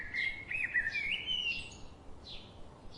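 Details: A bird sings a run of clear whistled notes that step up and down, followed by short, higher chirps spaced out over the remaining seconds, in a quiet background.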